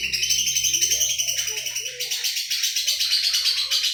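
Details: Continuous high, rattling lovebird chatter in the isian Cililin Jenggot Mesin Jahit style, fast and evenly pulsed, shifting slightly higher midway. A faint low hum runs beneath it.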